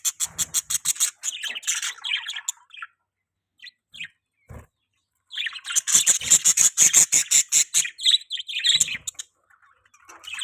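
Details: Budgerigar chattering in rapid rasping pulses, fast ticking notes repeated in runs, with a silent pause before a longer, louder buzzy stretch.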